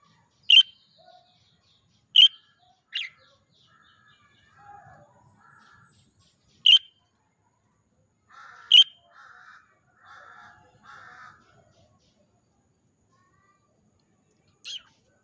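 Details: Pet budgerigar (Melopsittacus undulatus) gives sharp, high chirps spaced a few seconds apart, with softer raspy chatter between.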